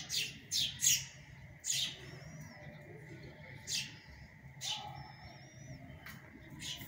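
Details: House sparrows feeding their chicks on an early-summer drizzly day: chicks give bursts of harsh, high chirping in irregular spurts, with thin whistled notes from another bird and a low background hum.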